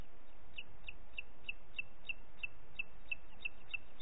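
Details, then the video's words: Booted eagle calling at Parc Natural dels Ports on 30 June 2021, late morning: a short string of sharp, high, evenly spaced notes over a low, noisy background. "Àguila Calçada"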